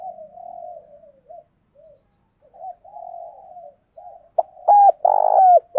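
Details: Decoy spotted dove calling and challenging to attract wild doves; gentle rolling murmurs and broken soft notes, ending in a burst of three loud, rough, emphatic coos.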